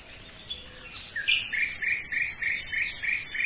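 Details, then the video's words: Common nightingale song: a brief soft lead-in, then a steady run of about ten loud, identical, clipped double-pitched notes repeated rapidly and evenly, over quiet background. "Пение соловья"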